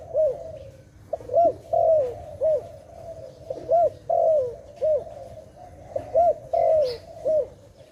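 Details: Rhythmic dove cooing near a trap: arched low notes and longer falling rolls follow one another in a steady, repeated series over eight seconds, with faint hum behind.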